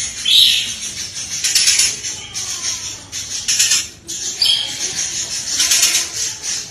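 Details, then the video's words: Oriental magpie-robin song recording used to train songbirds, a rapid-fire run of phrases full of fill notes: dense, high chattering and sharp whistled bursts in quick succession, with brief pauses near three and four seconds. "full tembakan beruntun masteran burung Kacer full isian"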